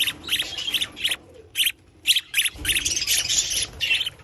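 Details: Budgerigar chicks give harsh, raspy begging squawks in quick bursts while both parents, mother and father, feed them.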